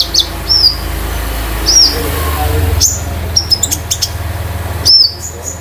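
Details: Konin kept at home as a master tutor bird: high, sharp chirps with quick downward slides, spaced singly, then a brief burst of clicks and a final loud chirp over a low rumble.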